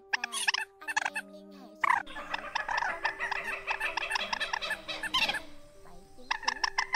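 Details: White-breasted waterhen recording played as a lure for night net-trapping in August 2024: harsh, croaking notes in fast, uneven bursts that overlap into a loud, chattering chorus, with a steady low electronic hum underneath.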